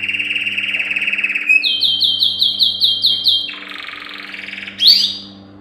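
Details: Yellow canary, a male, singing a training song for canaries: a fast rattling trill steps up into a run of rapid repeated chirps, then drops to a lower rolling trill ending in a sharp upswept note, over faint low hum.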